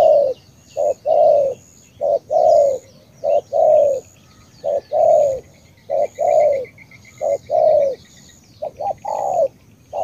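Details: Spotted dove from Cà Mau, Vietnam producing a regular series of deep, mellow coos, short note then longer falling note, close to one phrase per second, with faint high chirps and a thin whine behind.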